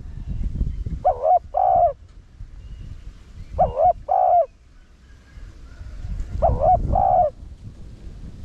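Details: Lure coo of a spotted dove, 'thúc' delivery in the 'rặc đồng' voice style: three two-note phrases roughly every two and a half seconds, a hooked note then a drawn-out one, over a noticeable low rumble.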